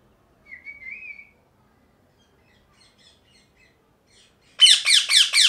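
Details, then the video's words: A parrot gives one soft, rising whistled note, goes quiet, then breaks into four loud, grating squawks in rapid succession at the close. "Loud Parrot Chirping | Natural Parrot Sounds | Parrot Calling Sounds"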